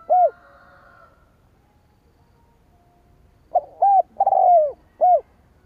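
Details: A single mellow coo from a spotted dove, then a pause, then a full lure phrase: a quick note, a coo, a stretched purring coo falling in pitch, and a closing coo.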